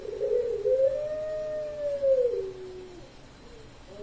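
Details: Sragen, Indonesia contest Puter Pelung dove, October 2021, producing a long arched coo that rises then slowly falls, followed by faint short notes amid constant background hiss.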